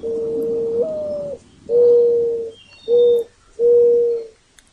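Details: Mourning dove coo call, loud and close: a long opening note stepping up and easing down, followed by three steady, hollow, low coos, the middle one short. The surroundings are quiet apart from a few faint high chirps.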